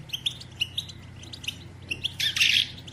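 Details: Female European goldfinch batbata, twittering calls used to stimulate males to sing and mate: quick bright chirps in short bursts, ending in a louder dense buzzy twitter, over a steady low hum.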